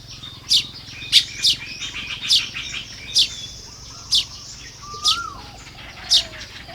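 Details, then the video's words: Baya weaver busy nest building at dawn hours in Lopburi, Thailand, 1 May 2026; crisp high chips ring out every half-second to second, with a single rising-then-falling whistle near the end. "เสียงนกกระจาบทำรัง ยามเช้า"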